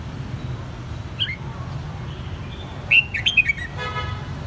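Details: Caged red-whiskered bulbul in Saigon, Vietnam, raised from the white-cheeked juvenile stage: after a few faint notes, a quick burst of clear whistled notes that rise and fall, over a steady low hum.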